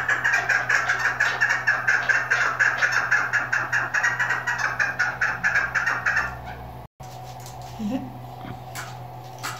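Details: Female chukar partridge calling, used by hunters as a lure: a rapid run of harsh, evenly pulsed notes for about six seconds, then a break and quieter background with a faint low call near the end.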